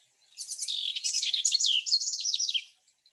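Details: House Wren spring song: one rapid, bubbling, complex song of about two seconds, a dense jumble of high trills and chatter that tumbles downward at the end.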